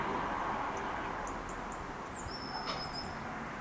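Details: On a foggy morning, a Eurasian blue tit that is calling and feeding gives a few thin, very high notes, then a fast, level, silvery trill, over a steady roar of distant traffic.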